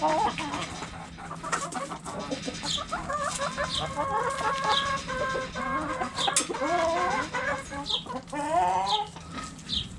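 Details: Backyard flock of hens and roosters: a dense chorus of overlapping clucks and rising, quavering calls, with scattered sharp chirps throughout.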